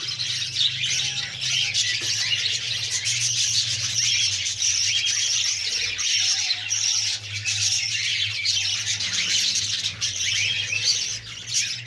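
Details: Begging budgerigar chicks fed by a female: unbroken grating, wheezy chatter at high pitch, rising and falling in loudness, accompanied by a constant low droning hum.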